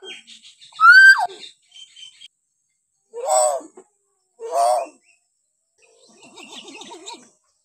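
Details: Hill myna sounds collected to coax untrained or lazy mynas into calling: one loud, ringing, down-slurred whistle, then two hoarse, grating calls, ending with a soft wavering warble.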